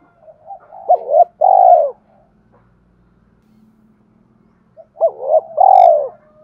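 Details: Spotted dove cooing, used to stir up and train decoy birds: two phrases about four seconds apart, each a few short hooked notes leading into a long, throbbing, slightly falling coo, with a low hum between them.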